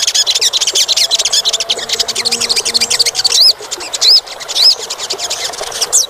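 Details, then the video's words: Song of an olive-backed sunbird, played as a lure to get a reluctant caged bird singing: fast high twittering phrases followed by three clear, arched, whistled notes spaced about half a second apart. "pancingan sogon kurang aktif bunyi"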